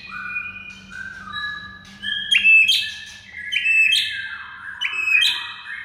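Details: White-rumped shama song for prompting silent shamas: soft layered whistles, then three loud bright accented phrases at roughly one-and-a-half-second intervals, each a sharp high note over a held whistle.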